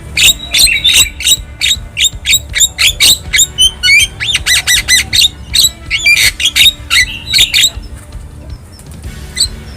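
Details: Wild Javan myna singing, a natural recording meant to make caged birds sing: rapid stream of harsh chattering notes and squeaky whistles, dense for eight seconds, then fading to near silence.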